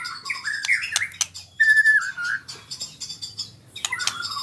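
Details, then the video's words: Young-learning white-rumped shama practising rolling trills (ngerol): short broken whistles, a sustained level whistled note in the middle, then a few rising notes, with clicks between phrases. "Murai Super Belajar Kicau"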